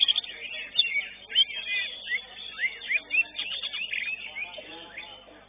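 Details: A greater green leafbird at a songbird contest, the fourth-place winner in its class, sings a fast, varied stream of high whistles, slurred notes and chattering phrases, with other birds and faint crowd noise behind.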